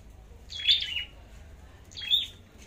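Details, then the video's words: Two separate bursts of high, buzzy chipping with a falling whistle from a red-headed flowerpecker singing competitively, spaced about a second and a half apart over low background hum. "Chim Sâu Đầu Đỏ Hót Đấu"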